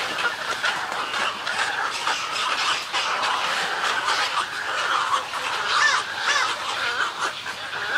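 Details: Many Snowy egrets call in their colony with colony and greeting calls. Coarse, nasal croaks pour out without pause and overlap into a thick, grating din, with one brief higher squeal late in the sequence.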